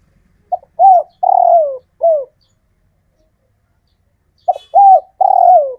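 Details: Captive male spotted dove of local origin calling females: a phrase of short note, rising coo, long falling coo and short coo, a gap of over two seconds, then the phrase restarts with the same low, hoarse rhythm.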